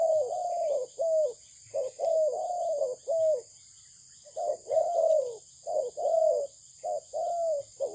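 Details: Good-voiced Malaysian spotted dove cooing in clusters of short and drawn-out soft notes, a pause of about a second in the middle before the phrase resumes, against a steady electronic whine.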